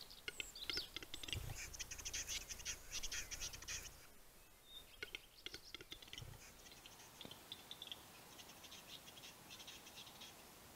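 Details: Western capercaillie displaying at a spring 2022 lek in eastern Lapland, Finland: sharp dry clicks at an uneven pace, scratchy hissing grinding bursts and a few dull low thumps over quiet forest.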